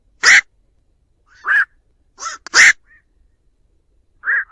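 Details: Lure recording of a black-crowned night heron calling the flock: five clipped, hoarse quok calls, some loud and rasping, others softer and more tonal, irregularly spaced in silence.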